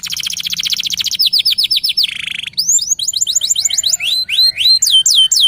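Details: Local canary singing vigorously, used as a lure to get other canaries singing: fast repeated high buzzy trills, then a series of rising whistled sweeps and descending slurred notes, closely packed and continuous throughout.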